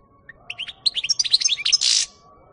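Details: European goldfinch, 2018, delivering a quick run of sweet chirping and twittering notes that climbs in intensity and ends in a loud rasping buzz, over a faint steady low hum.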